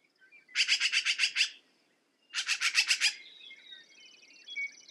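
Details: Two rattling bursts of harsh, rapid notes from a black-billed magpie, each lasting under a second, followed by a high buzzy trill and soft chirps of other birds.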